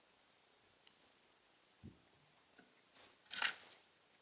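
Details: A bird thought to be a Brown-headed cowbird gives very high, thin, brief whistles, four in about four seconds, with one harsher burst near the end and a soft thump between.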